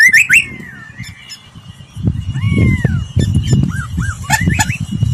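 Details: Laughingthrush song for voice training; a few clear slurred and arched whistles, some rising and falling, over a steady low rumbling background noise.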